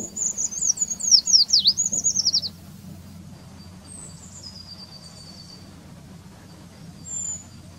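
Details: Eurasian treecreeper in the Wittlich valley: a quick cascade of very high, thin, wavering notes dipping and slurring downward for about two and a half seconds, followed by quieter, isolated high thin whistles; low steady background hum.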